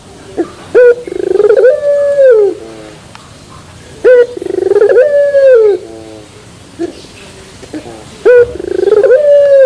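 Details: Turtle dove (puter) delivering pelung song with metallic terasan quality: three phrases, each a sharp short note, a buzzy build-up and a long even coo that sinks away, spaced roughly four seconds apart.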